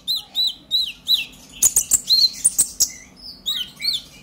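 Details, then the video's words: Purple-throated sunbird in energetic chattering song meant to provoke other sunbirds into singing; repeated high, curved whistled notes alternate with a burst of sharp, very high clicks and twitters. "Pancingan KONIN Bahan agar GACOR NGOBRA EMOSI - Purple Throated Sunbird"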